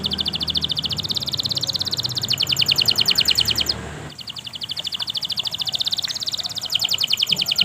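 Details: Canary delivering long continuous song used as a lure to trigger singing in quiet canaries: dense, rapid high rattling trills, briefly interrupted near the middle, then resuming in buzzy repeated pulses.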